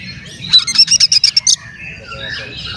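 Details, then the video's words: Oriental magpie-robin in provoking song: a one-second loud volley of sharp, rasping chatter notes, eight or so in quick succession with high whistled overtones, then soft background warbling. "SUARA BURUNG KACER GACOR ngeplay santai MANGGIL kacer auto KONSLET buka ekor TERAPI KACER agar EMOSI"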